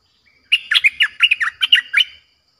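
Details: Streak-eared bulbul giving a harsh, fierce lure song meant to attract wild birds: one continuous phrase of about ten quick, throaty, rising and dropping notes lasting under two seconds, otherwise silent.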